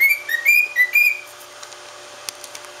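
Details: Pet cockatiel whistling four clear, tonal notes in quick succession, alternating slightly lower and higher pitches, then falling silent apart from faint room clicks.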